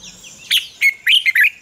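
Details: Red-whiskered bulbul morning lure song with double notes like an old wild bird: four short, clear, whistled notes in quick succession, some slurred downward, others rising.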